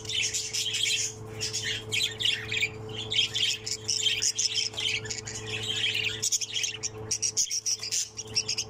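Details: Pseudo Texas opaline budgerigar chick, the only one left of six in the nest, keeps up a harsh warbling chatter of squawks and chirps, briefly pausing near the end, over a low steady hum.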